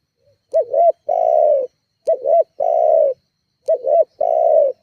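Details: Lure call of a spotted dove meant to provoke rivals: three repeated phrases about every one and a half seconds, each a short double-humped note leading into a sustained, level coo.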